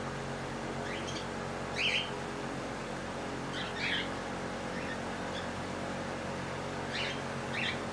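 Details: A cockatiel eating its morning breakfast gives brief, scratchy chirps and squawks every couple of seconds over a steady background hum.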